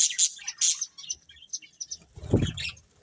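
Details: Colourful pet budgerigars eating, giving short high chirps and tweets in the first second, then scattered faint twitters and a low thump or rustle near the end.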